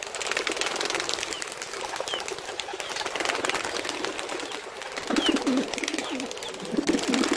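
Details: Steady hiss of outdoor noise, then two short bursts of low, throaty pigeon coos near the end, from wild pigeons in nature.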